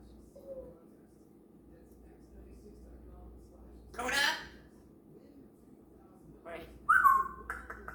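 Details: A female pet grey parrot chattering to herself and practicing sounds in the morning: soft muttering, a breathy burst, then a clear whistled note with a few scratchy syllables.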